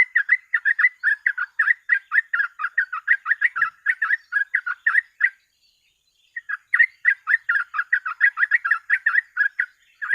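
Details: Sooty-headed bulbul in fast, continuous 'gacor ropel' singing, offered as a tutor and lure recording: dense run of short chattering notes repeated several times a second, a brief pause near the middle, then the rapid run resumes.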